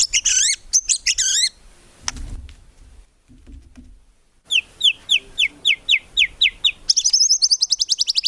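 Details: White-rumped shama song for training songbirds, a murai batu in full voice with fill-ins and tembakan: wavy warbled notes, a pause with low thumps, then a measured series of descending high whistles and a fast, buzzy rapid-fire run.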